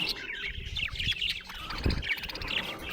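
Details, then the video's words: Budgerigar chirping happily, a fast run of bright twittering chirps and squeaky warbled notes with brief pauses, over light low thumps and rustling in the background. "Happy budgie chirping sound"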